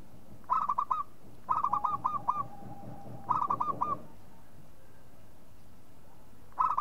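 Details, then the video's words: Local zebra dove repeating a staccato cooing phrase, bursts of four to six quick notes about every second and a half, with a faint steady whistling tone underneath in the middle. "SUARA MEMANGG PERKUTUT LOKAL"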